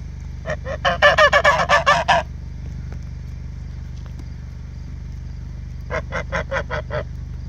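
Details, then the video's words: Farm geese honking: a rapid burst of about ten loud, nasal honks over a second and a half, a quiet pause, then six softer honks in quick succession, over a steady low mechanical hum. "Goose talk"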